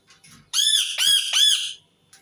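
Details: Three strident, rasping screeches in quick succession from an Indian ringneck parakeet, each arched and harmonic-rich, preceded by faint soft squeaks and low background murmur.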